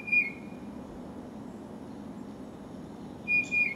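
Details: Tufted titmouse singing a gentle song of clear whistled notes, one at the start and another about three seconds later, each level then dipping slightly, over a low steady background rumble.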